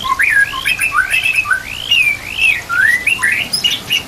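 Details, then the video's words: White-rumped shama song for training captive birds, with trickling water and nature sounds behind; a continuous run of rich, looping whistled phrases that rise and fall, interspersed with quick chattering notes. "MASTERAN MURAI BATU ISIAN komplit"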